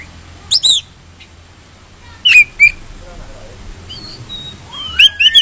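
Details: White-rumped shama singing, used to trigger other shamas into song for contests: loud sweeping whistled notes in short bursts, a few thin whistles, and a quick double-note flourish at the end over light low background noise.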